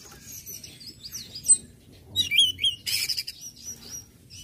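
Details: Orange-headed thrush singing in the ngecip, ngecit and ngeplong styles, used to stir other birds into singing; high, thin twittering phrases, then a bright burst of sweeping whistles and a dense buzzy rattle, with a low background hum.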